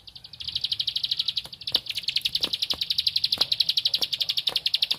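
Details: Bar-winged prinia, locally ciblek padi, calling out for a rival in lively song: a rapid, steady run of high, sharp notes that swells louder after a soft start, broken by scattered dry clicks and knocks.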